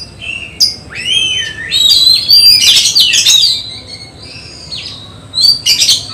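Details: Contest-bound oriental magpie-robin at home singing wavering whistled slurs, then a loud burst of mixed whistles and harsh notes, a quieter stretch, and closing high chips.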